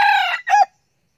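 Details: Young male red junglefowl kept as a decoy bird, a frequent crower, giving one short crow: a loud, harmonic opening note, a brief break, then a clipped falling final syllable, all within about 0.7 seconds.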